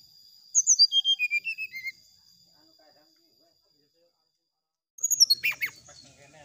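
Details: Brown-chested jungle flycatcher song meant to provoke a rival's response: a falling cascade of about eight pure whistles, a pause of silence, then a louder, rougher burst of high notes.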